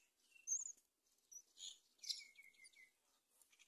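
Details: Myna mother bringing locusts to her chicks on a palm tree; varied scratchy chirps and rasps, then a string of short, thin, descending whistled notes, with quieter twittering afterward.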